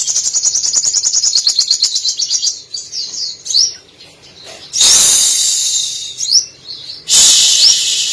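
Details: Brown-throated Sunbird, or sogok ontong, singing eagerly with mimicked canary, cililin, sparrow and lovebird phrases woven in. A fast, even string of high chirps for over two seconds, then upswept whistles broken by loud hissing bursts.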